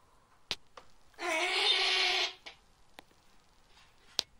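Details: Snowy owl nesting in an outdoor enclosure at a breeding centre, giving one harsh, hissing screech of about a second, rough and broadband with faint banding, set between a few sharp clicks and knocks.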